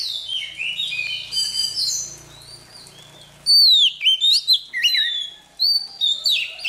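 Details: Oriental magpie-robin, a freshly caught bird, practising its morning song: a soft jumble of high chirps and trills, then a sudden loud burst of sharp whistled notes and quick upward and downward sweeps.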